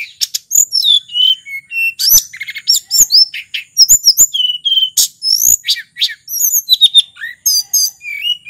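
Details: Wild lesser shortwing from Mount Merapi, used as a lure and tutor for silent birds: a rapid, jumbled run of high, sweet whistles and thin buzzy notes, with short pauses and sudden bright phrases.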